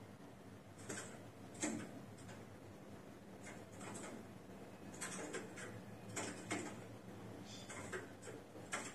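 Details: Quiet indoor room tone with soft, irregular knocks, clicks and sliding clatters spread throughout.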